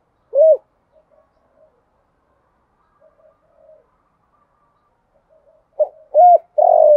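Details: Female spotted dove decoy calling to attract males, 'thổ pha' style. One low rounded coo, a long pause with faint murmurs, then a phrase of hollow coos begins and ends cut off.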